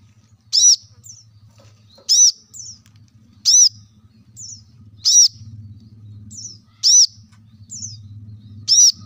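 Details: Plain-throated sunbird song used to coax reluctant caged birds into singing: loud high chirps every one to one and a half seconds, each followed by a faint falling squeak, over a low steady hum.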